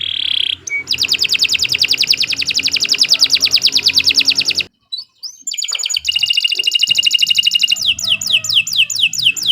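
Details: Canary singing continuously in a morning training recording for young songbirds: fast buzzy rolling trills high in pitch, each roll of rapid repeated notes, a short pause midway, then more varied rolls and sharp chirps.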